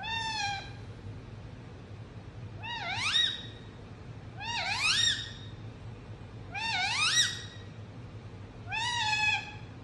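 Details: Pet Indian ringneck parrot calling: five rich, nasal calls roughly every two seconds, most dipping low then rising sharply before falling away, the first a flatter drawn-out note, with faint background hum.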